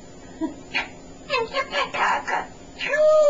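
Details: Chatty pet male African grey parrot indoors producing a run of short, speech-like syllables. They come as five or six clipped bursts over three seconds and end in a steady rising tone, with a woman's voice nearby and faint room hiss.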